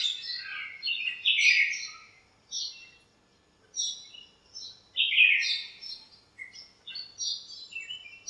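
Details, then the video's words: Several birds fighting and chirping in a lemon tree in a backyard on a sunny morning; bursts of sharp, high chirps separated by brief pauses, with overlapping callers. "chirps at morning | backyard bird sounds"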